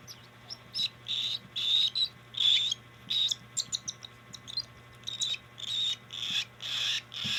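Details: Hand-fed cockatiel begging: harsh, wheezy squeaks delivered in uneven bursts about once per second, a few broken into quick stutters, over a faint constant low hum.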